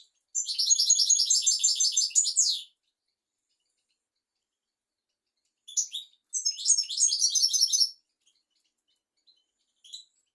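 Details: European goldfinch song for teaching young goldfinches and canaries: two long, fast, buzzy-tinkling twittering phrases of about two seconds each, separated by silence, with a few isolated chirps after.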